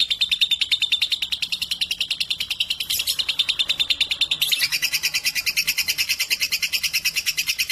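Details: Lovebird aged 3.5 months, unafraid to sing beside adult birds, delivers a sustained rapid chatter of high chirping notes that shifts to a higher, buzzier pitch midway.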